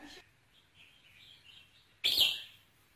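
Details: Red-whiskered bulbul song for stimulating a male: soft warbling notes, then one sudden loud, bright, slurred whistled phrase near the end that fades quickly.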